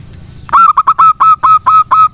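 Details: Zebra dove of the local wild type singing eagerly, meant to get idle doves responding. Brisk sequence of nine ringing, slightly rolled coos, evenly paced about four per second.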